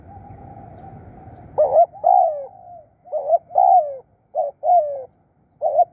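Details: Spotted dove decoy luring wild birds, delivering a run of soft hollow coos in quick pairs and triplets, some notes wavering and others falling away, with a low hum beforehand.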